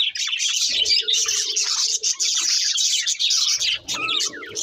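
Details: Budgerigars warbling while they eat, many overlapping squeaky chirps and buzzy phrases, with a lower drawn-out murmuring note running under the chatter in places.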